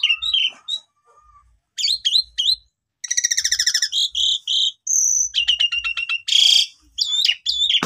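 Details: Asian pied starling lure song meant to make sulking starlings sing again: varied whistles, a rapid rattling series of repeated notes, harsh noisy bursts and looping slurred calls, with pauses between phrases.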